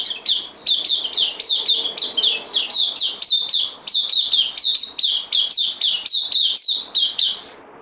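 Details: Captive bulbul, new arrival on loan, 12 September 2020, delivering a long, energetic burst of roughly two dozen rapid, high, downward-slurred notes, almost continuous for eight seconds, in a quiet indoor setting.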